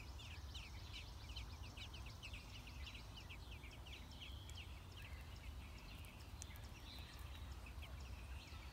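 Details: Six-day-old American robin chicks at the nest while adults feed them: rapid series of thin, high chirps and peeps, irregularly repeated several times per second, over a steady low rumble.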